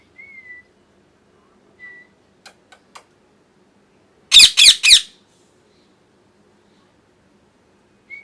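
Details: Molting pet parrot indoors: faint thin whistles and soft clicks, then three rapid, loud harsh squawks in quick succession, followed by quiet and another brief whistle at the end.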